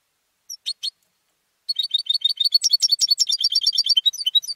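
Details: European goldfinch, a home-raised competition bird, singing: a few sharp chirps, then a fast run of high, liquid twittering trills about four per second, ending in steadier repeated tinkling notes.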